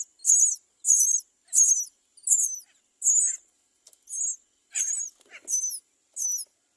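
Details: Great myna chicks crying at the nest for food while the parent does not bring any; harsh, raspy high calls repeated about once every 0.7 seconds in a steady series, with a faint lower note near the end.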